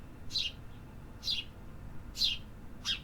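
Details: Urban birdsong from the city: four short, high, downslurred chirps, about one each second, over a low traffic-like rumble.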